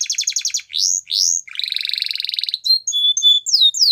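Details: Canary singing as a training model for young birds: fast pulsed trill, two upward-swept whistles, a long rich buzzy rolling phrase, then short high whistled notes and descending sweeps.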